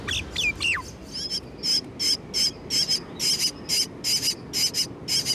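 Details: Juvenile Common Myna begging for food at a nest between a wall and a decorative grill, urban complex in Delhi; after some opening descending whistles, loud high chirps come in a regular burst-like series, roughly three per second.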